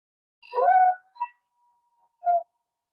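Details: Barred Owl scream, Connecticut: a harsh, raspy scream lasting about half a second, then a short squeal and a second, briefer rasping burst.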